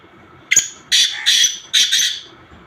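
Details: Black francolin (kala teetar) giving mixed calls: a short sharp note, then three loud harsh, grating bursts in quick succession, the last two run together, over a quiet background.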